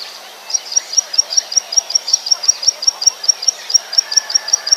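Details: Plain Prinia recorded in the wild as lure audio gives a fast run of thin, high ticking notes, about five each second, steady and even, with a faint hiss of background noise.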